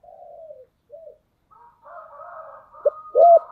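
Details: Spotted dove kept as a decoy, cooing to lure wild doves: faint low coos and a soft murmur, then a sudden loud, deep coo phrase near the end.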